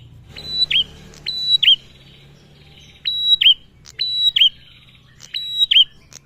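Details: Lure call of a male Bar-winged prinia, meant to get other prinias singing: five sharp high phrases of click, flat whistle and downward twist, spaced about a second apart, with a low hum.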